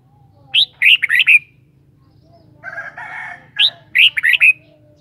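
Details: Kept red-whiskered bulbul singing two short bubbly, warbled phrases of quick rising and falling notes about three seconds apart, with a harsh, buzzy chattering burst between them and a faint low hum beneath.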